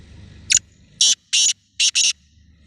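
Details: A black francolin (kala tetar) gives a rhythmic rasping phrase: a brief sharp note followed by four grating, buzzy bursts, the final pair run together. The background is otherwise quiet.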